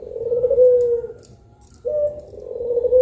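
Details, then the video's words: Midday cooing of two pelung collared doves: a long, low coo that fades, a short pause, then another sustained coo begins. "PUTER PELUNG MASTERING || PANDUAN SUARA 2 BURUNG INI BIKIN MERINDING DI SIANG BOLONG"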